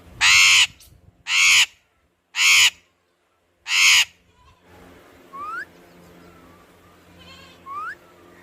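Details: Parrot uttering four loud, rasping squawks roughly a second apart. Softer rising whistled notes follow against a faint background hum.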